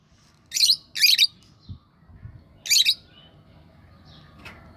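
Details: Lovebirds calling: three loud, harsh, high chirps in quick bursts in the first three seconds, then a softer faint note, with quiet low knocking in the background.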